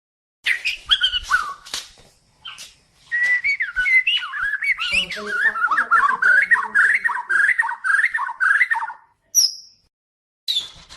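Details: Extended song of a Medan-type white-rumped shama: varied whistles and squeaky notes opening into a long stream of fast, rolling warbled notes, then a few isolated high whistles after short pauses.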